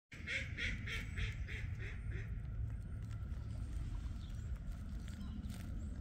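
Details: A sandhill crane, passing by along a trail with a little dance, gives a rolling series of about eight harsh, trumpeting notes over two seconds, fading out, over steady low wind rumble.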